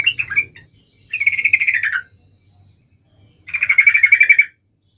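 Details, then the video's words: Sooty-headed bulbul singing energetically, played to make other birds of its kind sing: three bursts of bubbly, chattering warble, each about a second long, separated by short silences. "trucukan gacor FULL EMOSI TAJAM ini AMPUH MENJADIKAN agar supaya burung trucuk gacor seketika"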